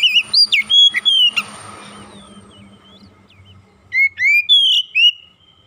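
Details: Oriental magpie-robin training song with calling tones: quick choppy whistled notes, a hissy pause with low background hum, then a few clear rising and falling whistles.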